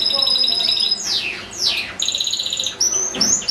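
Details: Goldfinch in a cage singing, kept with a second goldfinch and two goldfinch-canary hybrids, one bird in a breeding cage: steeply falling whistled slurs, tinkling trills and high sustained tones in quick sequence.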